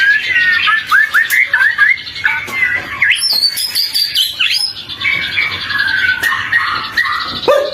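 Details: White-rumped shama song meant to lure other shamas into singing, morning or afternoon. Loud, varied, fluty whistles rise and fall in quick phrases, with sharp high squeaks in between and barely a pause.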